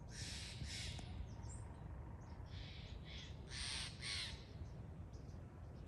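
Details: Steller's jay uttering repeated harsh, scratchy calls, a pair of bursts early on, then a quick run of three or four louder grating notes, with a steady low rumble underneath.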